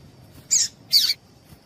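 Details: Two sharp, buzzy high chips about half a second apart from a female Double-collared seedeater, a call meant to get males excited and singing.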